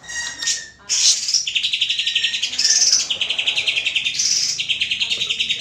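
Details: Greater green leafbird singing as a lure to draw other birds into song: rapid chattering high-pitched phrases, bursts of sharp repeated chips and trills with short pauses between runs.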